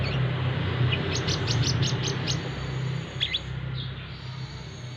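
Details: Brown-throated sunbird being trained beside a busy road among passing people; a quick run of about six high, sharp chirps, then a few scattered notes, with steady low traffic hum beneath.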